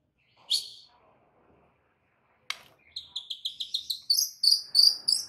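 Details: Oriental magpie-robin in a full isian masteran recording: after a sharp single chirp and a short gap, a fast series of high, ringing repeated notes that grows louder toward the end.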